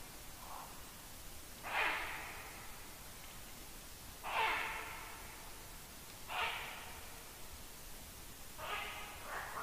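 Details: Ural owl barking at night, 00:26 on 1 August 2022, under a black stork nest tree; faint, harsh, rasping barks come about every two seconds over a steady background hiss.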